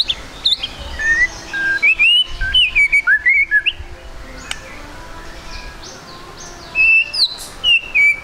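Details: A White-rumped shama sings fast trotol song, meant as a lure to set birds singing: high thin whistles and upslurs mixed with sharp clicks, pausing midway before resuming with bright whistled notes.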